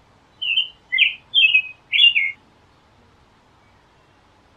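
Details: Song of an American robin: four rich, caroling whistled phrases in quick succession, each slightly slurred and lasting under half a second, followed by silence, with a clean, noise-free background.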